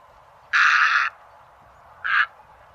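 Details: White egret sound used for bird trapping: one loud, flat, raspy squawk lasting half a second, a pause, then a shorter, softer rasp. The background is quiet.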